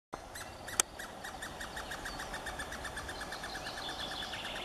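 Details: Eurasian three-toed woodpeckers at a low nest hole give a fast, steady stream of short, raspy chittering notes, about eight to ten a second, with one sharp tap early on.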